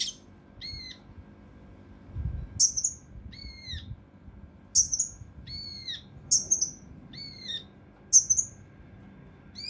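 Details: Mountain leaf warbler for training competition birds, giving very high sharp chips, some doubled, alternating with thinner descending whistles, spaced one to two seconds apart.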